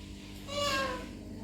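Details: Pet Alexandrine parakeet mimicking speech, giving a single brief, tonal, harmonic-rich syllable that swells and fades within half a second, with a faint constant low background hum.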